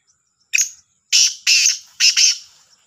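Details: Black francolin's morning call from Sahiwal, dated 18 September 2022: one short harsh note, then three longer grating, buzzy notes, the last split in two, each loud and rasping, in near silence.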